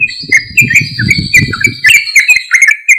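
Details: Loud sooty-headed bulbul song meant to lure other bulbuls into responding. Continuous lively whistled phrases with quick up-and-down slurs, over a low rumbling and knocking background.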